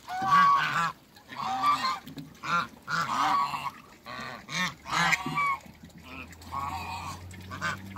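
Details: From a backyard pair of Muscovy ducks comes an almost continuous run of loud, harsh, nasal honks, some overlapping, fading slightly toward the end over a low steady hum.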